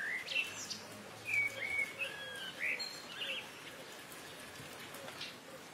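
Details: Streak-throated swallows, known locally as Ababeel, at their mud-nest colony on the Rice Canal of the Sukkur Barrage system in Sindh, Pakistan: a few short, high chirps and twitters in the first three seconds, then steady background hiss.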